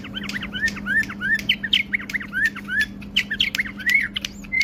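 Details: Bulbul in song with wing display: loud, rich slurred whistles, many rising and falling in quick swoops, with a few harsher squawk-like notes mixed in, delivered in an uneven stream.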